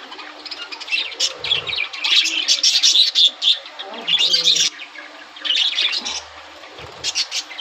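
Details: Several budgie colour varieties, red-eyed, yellow and sky-blue, chatter at breeding season start as eggs are laid: dense, rapid, scratchy warbling in long runs broken by short gaps.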